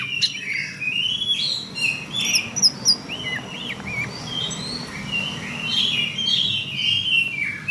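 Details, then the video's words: Cretekan chatter from a female Oriental magpie-robin, delivered as a varied run of short whistled and slurred notes, some swooping up and down, others very high and thin, in quick irregular bursts over a steady low hum. "kacer betina cretekan"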